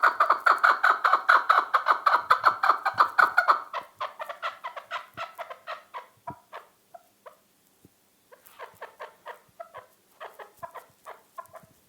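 A chukar partridge gives rapid, repeated clucking chuk notes, about two or three per second, loud at first, then softer bursts after a brief pause.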